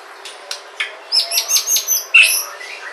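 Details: Sumatran white-rumped shama singing to prompt other shamas: a few soft chips, then a quick run of high, bright, thin notes and a sharp whistled ending.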